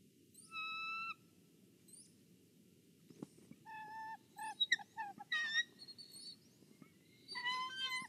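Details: Bald eagle guarding its egg at the nest in Kisatchie National Forest, picked up by a nest camera: thin, whistled notes with many overtones, some held and level, others in short choppy bursts, over a steady low hum.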